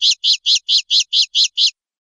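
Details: Eight buzzy, rasping notes from a common linnet, evenly repeated about four per second, then silence.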